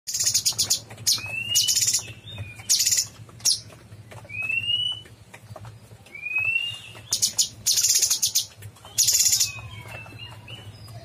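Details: Cucak cungkok bulbul in full, lively song: bursts of sharp, harsh high chips alternating with short rising whistled slurs, with a steady low hum underneath.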